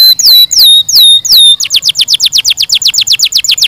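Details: Canary singing: four loud, clear whistles that slide down and level off, then a fast, even trill of short, high, downslurred notes, about ten per second.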